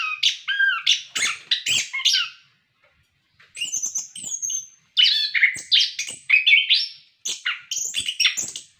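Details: Orange-headed thrush song meant to prompt captive birds to sing: strong varied whistled phrases, a pause of over a second, then more rapid warbling mixing low slurs and high notes.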